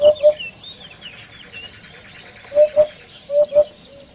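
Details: Repeated low, mellow two-note hoots of a common hoopoe, three pairs in quick succession; another bird's rapid high twittering overlaps the first second.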